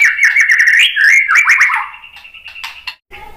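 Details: White-rumped shama song meant to draw other shamas into singing: a fast rolling warble of rising and falling whistled notes, then thinner steady tones and a brief silence near the end.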